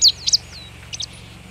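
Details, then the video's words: Marsh tit in Vitebsk Region, Belarus, on a frosty morning of 22 February 2013 at minus 18 degrees, beside boar remains: a few sharp, high chirping notes, two quick pairs, over a low steady hum. "Гаичка буроголовая (Parus palustris)"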